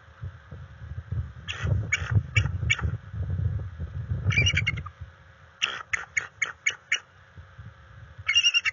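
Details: Resident bald eagle pair at the NCTC nest, recorded by live nest camera on 21 February 2022 during tandem mating and territory watching: bursts of sharp, staccato piping notes in quick runs, separated by pauses, over a low rumble of wind.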